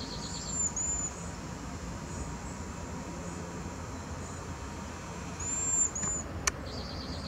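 Cedar waxwings give very high, thin, lisping whistles in two brief bouts, with soft pulsed chips and a steady hiss of background noise.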